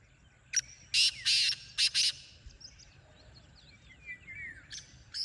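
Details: Wild black francolin gives a rasping phrase of about five harsh notes over a steady background hiss, followed by thin, sliding chirps from small birds and the start of another call.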